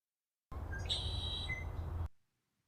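A Red-winged Blackbird gives a brief, high, steady whistled note with a buzzy edge, then a short lower note. A low rumble runs underneath.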